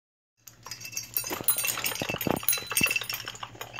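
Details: Pet blue-crowned conure kept indoors, having a fit and getting loud: dense, harsh, broadband screeches and rasping bursts that follow one another rapidly and irregularly after a brief silence at the start.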